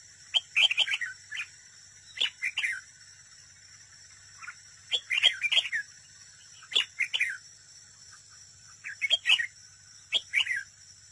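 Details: Caged decoy red-whiskered bulbul in competitive singing at a trap, giving short bright warbled phrases every one to two seconds over a steady high electronic hum.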